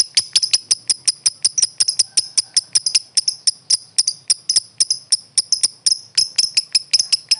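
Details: Contest lovebird chirping in a brisk, slightly irregular series of piercing high notes, about three per second, continuing without pause.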